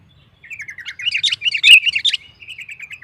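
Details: Sooty-headed bulbul singing to provoke competing bulbuls: a rapid string of rippling, slurred chirps that swells into a louder jumbled warble, then trails off in softer trills.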